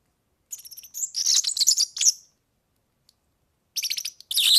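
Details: Song of a European serin meant for tutoring young birds: a high, tinkling, buzzy trill that speeds into a rattling jingle, silence, then another glassy burst of fast notes.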